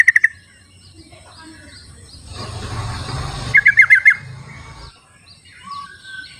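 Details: Sooty-headed bulbul singing in nature, used as a calling lure for reluctant birds; a short burst of five quick, chattering notes after a rustling noise, with soft background twitters.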